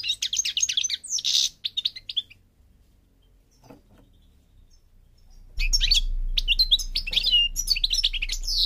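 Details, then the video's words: Goldfinch of the North African Parva form, Morocco, giving quick twittering phrases, a quiet pause, then renewed chattering song over a steady low hum. "The Goldfinch's Song North Africa - Parva Morocco Bird Song"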